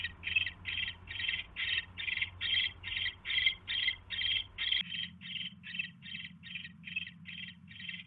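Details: Nesting owl during an evening mouse delivery on January 29, 2016; long series of short raspy hisses, about two and a half per second, steady throughout, while a low hum drops away midway.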